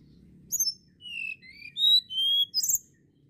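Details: Sunda blue robin singing a quick run of thin, high, clear whistled notes. Some notes slide down and some rise, with brief sharp chirps at the start and end. A soft low hum runs underneath.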